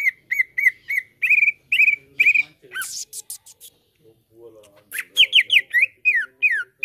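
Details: Green leafbird (cucak ijo) lure song, used to get caged birds singing loudly: clear whistled notes near one pitch repeated about twice a second, then a harsh buzzy burst and rapid downslurred, falling whistles.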